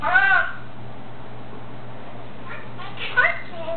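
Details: A pet male African grey parrot sings "Happy Birthday" to himself: two short, voice-like phrases of the tune in a human-sounding tone, with a quiet pause between them and a low electrical hum.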